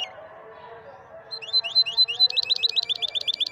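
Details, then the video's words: Moroccan European goldfinch singer of the maestro style, its song entering after a quiet start with high twittering notes that build into a fast, regular run of rising chirps over a faint low hum. "أفضل تغريد لمايسترو مغربي"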